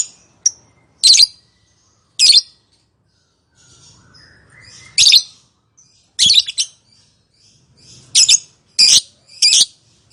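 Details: Lovebird calling, used to prompt other lovebirds to answer with long chattering song; sharp, high, shrill bursts, some doubled or clustered, repeated irregularly about every one to two seconds, with faint low rumbling in between.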